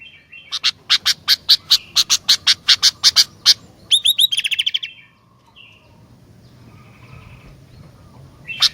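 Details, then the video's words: Loud Sooty-headed bulbul: about fifteen sharp, evenly spaced chips, then a quick rattling trill. A brief soft whistle follows in a quieter gap, and one more sharp note closes the recording. "Kicauan Gentilang Gacor"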